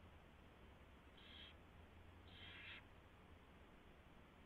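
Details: Mouse delivery and feeding at an owl nest, 24 February 2016 at 4:21 AM: two rough hisses, the second longer and stronger, over quiet low background hum.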